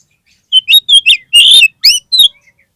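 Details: Oriental magpie-robin (kacer) lure song to lift a bird whose mental state has dropped: a tight, loud sequence of whistled notes with a long scratchy trill in the middle and rising slurred whistles at the end.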